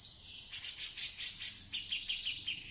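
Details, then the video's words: Female grey-cheeked bulbul, kept bird that has already laid eggs, singing actively: a quick run of about six bright high chirps, followed by a faster series of thinner, slightly falling notes. "Cucak Jenggot cewe / betina gacor"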